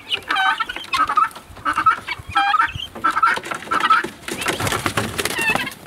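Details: Guineafowl going outside for the first time: a harsh, ringing two-part call repeated about every two-thirds of a second, six times in a row, then blurring into a noisier jumble of calls.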